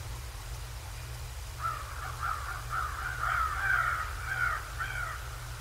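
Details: Decorah North nest, 7 January 2024 in the morning: a bald eagle's long chattering sequence of high, squealing, stuttered notes lasting about four seconds, rising in strength then fading, over low mechanical hum.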